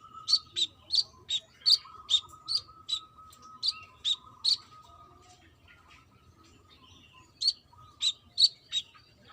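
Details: Lively brown-throated sunbird, a female calling a male, giving bright, sharp, high chip notes in a rapid series. A pause of about two seconds follows before four more chips, with a faint steady hum behind.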